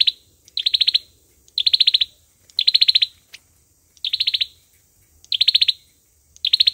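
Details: Lure recording of an olive-backed sunbird's fighting song: six bright, fast-pulsed high trills, each roughly half a second, repeated at a steady, brisk pace against near silence.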